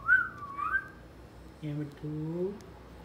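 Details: Talking pet parrot indoors. Two quick whistled notes, rising then dipping, are followed by two short, hoarse, voice-like syllables in a lower register.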